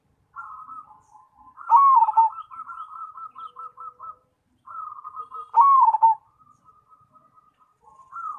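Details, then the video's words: Perkutut Cemani zebra dove singing: two loud, trembling, falling coo phrases, each trailed by a long run of short, evenly spaced, pulsing coo notes. "Perkutut Cemani Gacor"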